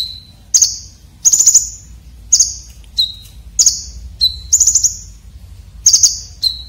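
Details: Song of a red-breasted Konin, a coarse and sharp fill-in style used to tutor competition birds, mixing high pure whistles with scratchy, fast stuttering trills in a steady, repeated rhythm.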